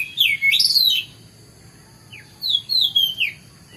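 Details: Oriental magpie-robin in morning song: two short phrases of bright looping whistles separated by a pause of more than a second, with one thin downslurred note between them.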